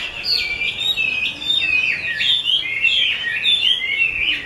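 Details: Chinese hwamei, 'mơ' type, from a bird artisan, sings continuous bright whistled phrases, wavering and swooping up and down in quick succession.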